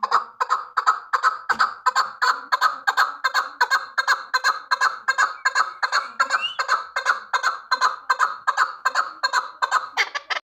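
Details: Chukar partridge used for hunting, uttering an unbroken chain of coarse clucking chuk notes around two to three per second, ending with a brief higher burst.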